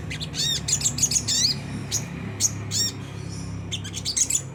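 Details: Lure recording of a Sunda whistling thrush, ngriwik kasar style, meant to spur caged birds to sing. Short groups of harsh, high, rising and falling chirps come in spaced bursts, with a constant low hum beneath.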